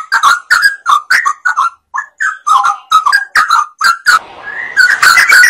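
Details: Sooty-headed bulbul in full song, played to prompt other birds to sing: bubbly, slurred note groups delivered in quick succession, then a burst of rushing noise near the end as the singing resumes.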